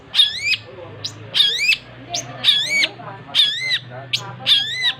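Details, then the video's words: Energetic long-tailed shrike song of loud, harsh, arching notes that swoop up and down, repeated roughly every second, with brief thin chips between them and a faint low rumble behind. "Suara burung cendet gacor"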